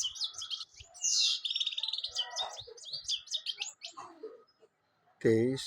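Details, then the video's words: Goldfinch in song, a rapid jumble of bright twitters, trills and squeaky high notes in a continuous burst, easing to scattered chips before a loud, lower, harsh sound breaks in at the end. "golden finch singing nicely طيور الحسون الذهبي تغني بشكل جميل"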